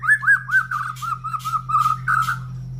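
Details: A kept white-rumped shama pours out a steady string of mellow, evenly pitched whistled notes, slightly falling, with faint clicks and a constant low hum.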